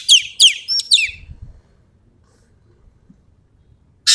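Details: Ekek keling of Sumatra singing actively: several sharp descending whistled notes with one steady high tone, then quiet, and a harsh rasp breaking in at the very end.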